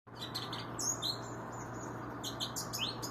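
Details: Bird song: scattered high, thin chirps and short rising whistles, some sweeping upward, over a steady low hum.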